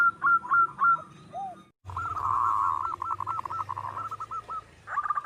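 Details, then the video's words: Zebra dove from the wild, its song used as a lure: a few clipped coo notes, a brief gap, then a dense rolling stutter of rapid coos trailing into separate notes, ending in another quick burst. "Perkutut lokal alam gacor Nutut,suara perkutut sedang mantap untuk pancingan"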